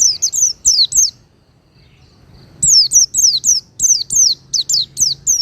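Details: Oriental white-eye song for training caged birds: high, thin whistles slurring downward, a brief burst, a pause of over a second, then a longer lively string of about ten notes.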